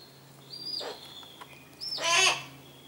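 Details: Captive Harris's hawks feeding their chicks: thin, high drawn-out whistled notes that fall away, followed by a louder harsh, rasping screech lasting about half a second.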